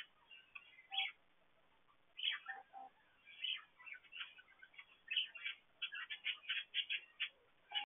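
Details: Budgerigars chirping inside an aviary, a busy chatter of short warbled and squeaky notes in irregular bursts with brief pauses, several birds calling over one another.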